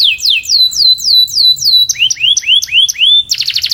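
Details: Canary song played for training to refine singing, with repeated falling whistled notes about four per second, then a run of rising swept notes, ending in a fast buzzy trill; clear and loud, nothing else audible.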